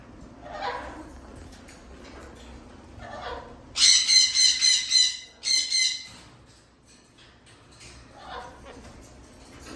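Cockatoo giving a loud, harsh burst of five rapid grating squawks, then two more after a short pause; softer murmuring sounds come before and after.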